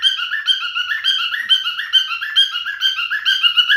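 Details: A singing male cockatiel, kept at home, gives a brief stretch of lively whistled warbling, short notes repeating roughly twice a second.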